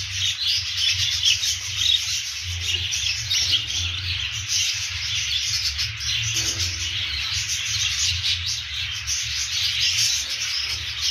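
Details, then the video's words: Budgerigars chattering constantly in a dense high twitter of rapid chirps, fairly even in loudness throughout, with a low hum in the background. "periquitos australianos"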